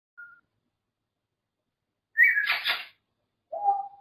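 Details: Pet grey parrot indoors: a brief pure whistle, then a rising whistle breaking into a harsh raspy squawk, and a short falling whistled note, with silence between.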